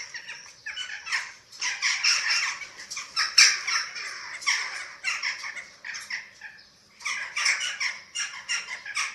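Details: Feeding time at a Eurasian eagle-owl nest in Germany, filmed by webcam on 27 March 2024: a near-continuous stream of coarse, breathy rasping bursts, dense and irregular, briefly pausing before resuming loudly.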